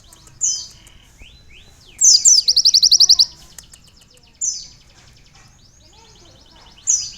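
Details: Konin sunbird with canary-style fill: single sharp high chirps, plus one burst of very rapid, loud ticking trill notes lasting about a second.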